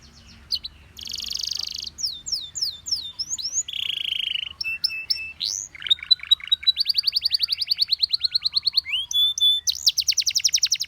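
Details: Canary song in varied tours: a buzzy rattle, falling whistled slurs, a low buzzy trill, then a long rapid run of repeated clipped notes and a rising sweep.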